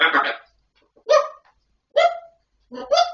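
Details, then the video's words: Grey parrot talking: four separate harmonic, speech-like phrases about a second apart, each a short burst with voice-like bands, in a quiet setting with no other clear sounds. "Perroquet qui parle /Gris du Gabon"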